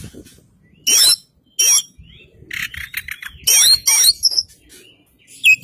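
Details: White-breasted Oriental magpie-robin, the Kacer Poci form from East Java, delivering full isian song: loud harsh bursts alternating with sweet whistled and trilled phrases, separated by short pauses.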